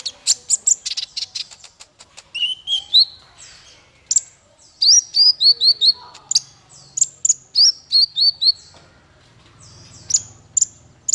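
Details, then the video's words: Male Van Hasselt's sunbird song used for tutoring songbirds: rapid high, thin chirps and sharp downslurred notes in quick bursts, with a fast run of bright ticks at the start and repeated clipped phrases, separated by short pauses. "Suara konin untuk masteran burung"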